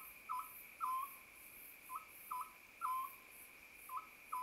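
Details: Oriental scops owl calling at night: short, soft, hooting notes repeated in irregular pairs about every second, set against a steady high insect drone.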